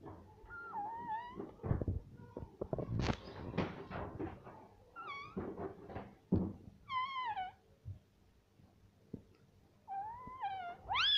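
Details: Pet green ring-necked parrot indoors saying "mummy" and "mitthu": strongly wavering, harmonic-rich syllables with short thumps and rustles between them, and a rising nasal cry at the end.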